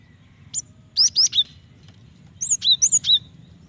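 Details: Female Java sparrow calling the male, used to make him sing: a lone high chip, then a trio of sharp chirps, and a later run of high slurred whistles and chirps.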